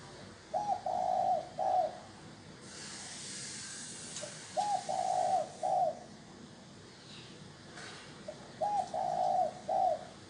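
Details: Spotted dove cooing as a calling decoy meant to lure wild doves: three low, hollow three-part phrases about four seconds apart, each a short note, a longer drawn coo, then a clipped final coo, over steady hiss.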